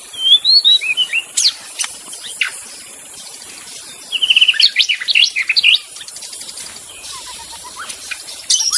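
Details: Wild magpie-robin singing in forest: varied whistled phrases, rising and falling slurs, sweet notes and sharp chips in bursts separated by pauses, with faint insect hiss in the background.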